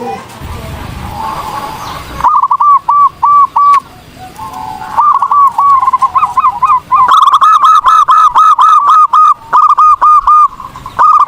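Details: Zebra dove (perkutut) singing vigorously, recorded for training other birds: after two seconds of low background hum, a steady run of short, clipped cooing notes at mid pitch, repeated rapidly in bursts with brief pauses.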